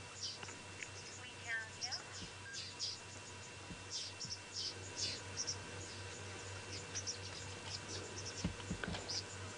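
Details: Yellow-billed oxpeckers with a buffalo herd, Djuma, Sabi Sand, South Africa, afternoon of 21 January 2018, giving many overlapping short high 'chew' notes in scattered bursts, over a low engine hum and quiet speech.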